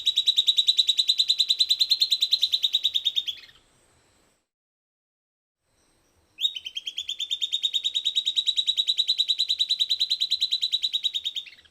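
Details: Silvered antbird giving two long songs separated by a short pause, each a fast, even rattle of clear whistled notes ending with a brief downward slur.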